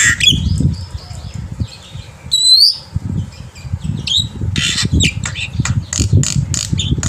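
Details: Black-winged myna in a lively morning song used as a tutor for young birds: harsh squawks, short whistled slurs and dense rasping bursts, with low thumping and rustling noise underneath.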